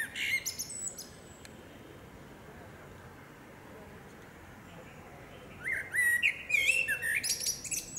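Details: Common blackbird, a female, singing in woodland: a short high twitter at the start, a long quiet gap, then a fluty rolling phrase ending in squeaky high notes.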